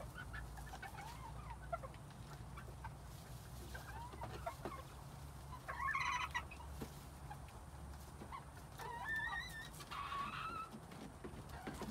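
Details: Quails in spring 2021 give two bursts of wavering, warbled chirps a few seconds apart, the second a longer trilling run, over a constant low hum and scattered clicks.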